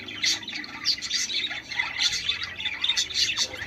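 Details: Budgies chattering in song intended to encourage pairs to mate: quick squeaky twitters and clicks mixed with short harsh squawks, continuous and lively.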